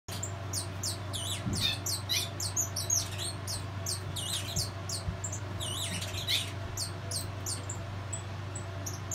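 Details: Saffron finch, a colour mutation, kept in captivity as pairs are being prepared for breeding; dense bursts of high, sharp chirped notes tumble over one another almost continuously, with a steady low mechanical hum underneath.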